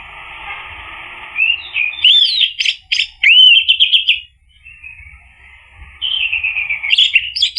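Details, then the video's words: Lure recording of Orange-headed thrush to draw out song in a bird that has stopped singing: a soft warble breaks into rapid loud whistled notes and slurred phrases, a brief pause, then a steady sweet trilling run. "PANCINGAN ANIS MERAH agar NYAUT jadi BUNYI GACOR ikut NGEPLONG"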